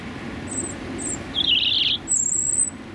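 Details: Male European robin singing his territorial song from one to two feet away on a freezing January morning in London during rush hour; thin high warbled phrases and very high thin notes over steady traffic rumble.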